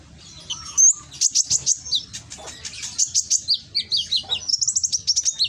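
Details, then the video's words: Loud lure song of a konin from Gresik, East Java, meant to provoke silent birds to answer: a fast string of sharp, high chip notes, steady bursts about five per second, then quicker trilled runs. "Pancingan konin yang malas bunyi langsung emosi ikut nyaut"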